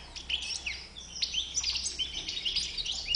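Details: Goldfinch with a white bib giving a brisk, tinkling burst of high chirps and slurred notes, tumbling quickly one after another.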